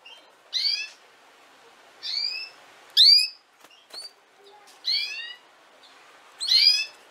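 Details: Canary recording played to teach young canaries to sing: short, bright, upward-sweeping chirps with ringing overtones, given singly every one to two seconds, six in all, over faint background hiss.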